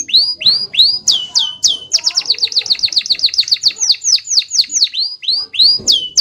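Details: Canary in rolling song: several high upward-sweeping whistles, then a fast steady run of repeated sweeping notes, slowing back to separate rising whistles at the end.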